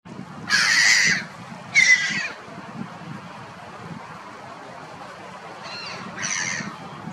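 Black-headed gull giving harsh, grating kree-ar calls: two loud ones a second apart, then two fainter answers, over a low background rumble.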